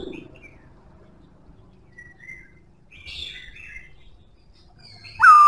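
Black-throated laughingthrush gives a few soft, scattered chirps and warbled notes, then ends with a sudden loud whistle that slides downward.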